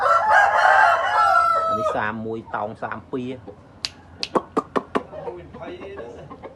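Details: Mother hen on a farm calling her small chicks out of their little house, with a harmonic call followed by a run of quick, low pulsed clucks and sharp, high chick peeps repeated several times a second.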